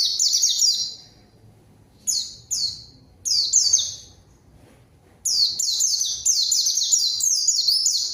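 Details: Lure song of a lively white-eye calling out a rival for a novice bird to answer: bursts of sharp, high, downward-sweeping chirps. A long run opens, short snatches follow after silence, and a sustained run closes.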